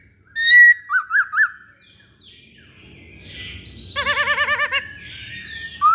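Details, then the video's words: Poksay Hongkong laughingthrush singing energetically: a loud whistle, three quick rising notes, a quiet gap, then a fast, even trill of wavering whistled notes and a closing high note. "Burung Poksay Hongkong Gacor"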